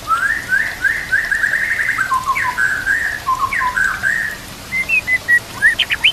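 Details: White-rumped shama song for lure and training use: fast chattering warbles and trilled runs, then short separated whistles and sharp upward chips, with quiet natural background.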